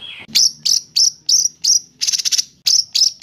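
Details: White-rumped shama, a lively training recording of an agitated, actively singing bird: a run of about nine short, high, buzzy chattering bursts in a little over three seconds, preceded by one lower whistled note.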